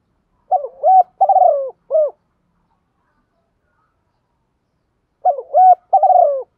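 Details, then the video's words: Two matching spotted dove cooing phrases come about four seconds apart, each a tight string of three or four low, rounded, slightly rising coos. This lure sound is used to excite decoy birds, and the recording is quiet and clean. "tieng chim cu gay kich boi nhanh nổi nhất"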